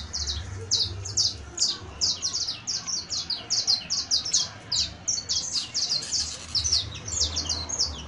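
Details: Saffron finch, known as canario basto or canario criollo, performing a professional-style song: rapid bright chirped notes in short bursts, about two per second, high-pitched and steady, over a faint low rumble.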